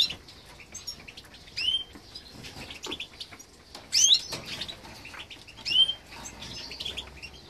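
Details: During a nest check, a green siskin × canary hybrid gives three clear, sharp upslurred call notes, spaced about two seconds apart, over faint rustling and clicking in the cage.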